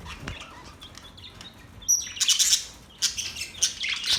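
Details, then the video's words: Quiet scattered budgerigar chirps give way to louder bursts of scratchy warbling and squeaks after about two seconds. "Budgies Birds Happy sounds | Budgies birds chirping sounds"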